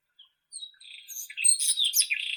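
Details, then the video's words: Irania gutturalis, the White-throated robin, gives a short song opening with a few thin whistles, then bursting into loud, rapid, scratchy high twittering. "Как поёт Соловей белошейка (Irania gutturalis)"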